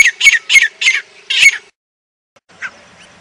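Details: Five quick, harsh high-pitched notes from a grey francolin in Pakistan, followed by silence and one faint distant note.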